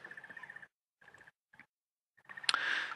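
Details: Crested Barbet calling from up high at sunrise on a very windy morning, 18 January 2017: rapid, even trilled bursts at steady mid pitch broken by short pauses, before a gust of wind roars over the end.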